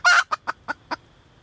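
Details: Female red junglefowl calling for a mate: a single loud raspy note followed by four softer, short clucks trailing off at a steady pace.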